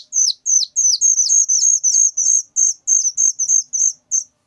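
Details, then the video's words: Very loud whistling thrush chick giving shrill hooked notes that run closer together in the middle of the sequence, about three per second, in an otherwise quiet setting. "suara anakan burung ciung Batu sangat nyaring"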